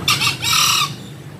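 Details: A green junglefowl gives one quick hoarse crow in two parts: a short rasping opening syllable, then a longer grating, slightly rising note.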